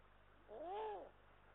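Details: Eurasian eagle-owl pair at the nest, Estonia, 18 March 2022, nest-camera audio: a single half-second rising-and-falling wailing call, rich in harmonics, against a quiet humming background.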